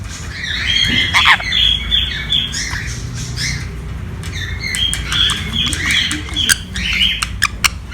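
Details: Pet sun conure playing, giving repeated harsh squawks and short high chirps in quick bursts, with a steady low background hum and some clicks near the end.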